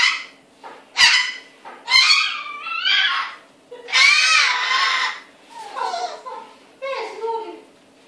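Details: Cockatoo mimicking, loud harsh broadband phrases with bent harmonic bands, several bursts of about a second separated by short pauses, some rising and falling in pitch, indoors.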